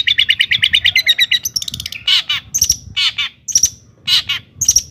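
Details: Long-tailed shrike in gacor song, played to provoke other shrikes into agitated singing: a fast run of even ticking notes, then loud harsh downward-sweeping phrases with thin whistled ends, repeated about every half second.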